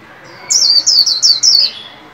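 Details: Caged white-eye, under song training for new year 2021, giving its líu song: four loud, high, downward-slurred whistled notes at an even, rapid pace, ending in a faint trailing note.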